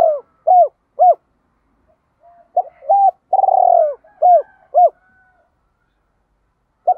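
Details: Spotted dove giving the double-voiced call: three quick arched coos, then a burred rolling coo followed by two more clear hooting notes, and a lone coo after a pause; no other sounds.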